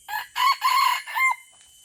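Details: Lure red junglefowl of Aceh crowing to draw in wild birds: a quick first syllable, two loud drawn-out harsh middle notes and a shorter clipped ending, the whole crow under two seconds, clean with little background.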